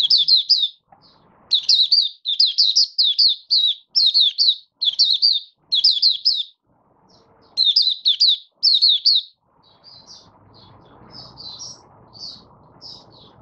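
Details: Caged Malaysian mata puteh, or Oriental white-eye, singing its 'buka sing' opening song while out of form, 1 August 2023: about ten rhythmic bursts of rapid high chirps, then softer scattered notes over a low rumble.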